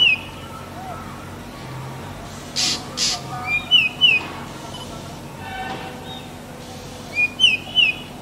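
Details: Black drongo (Bengali ফিঙე), Dicrurus macrocercus, mixes sharp upslurred whistles in quick pairs with paired harsh rasping bursts, returning with more whistled pairs after a pause. Quiet low hum behind.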